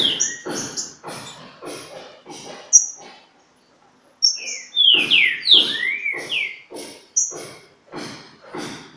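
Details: At Pedra Azul, a green-winged saltator sings against a free bird. After a brief pause comes a cluster of loud, falling whistled notes, surrounded by sharp high chirps and a rapid train of rough, noisy pulses.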